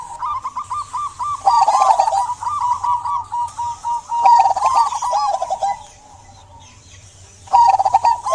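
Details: Zebra dove of a local type singing eagerly, played to draw song from silent doves: rapid, bubbling cooing phrases for several seconds, a quiet gap, then the bouncy notes resume, over soft clicks and a low hum.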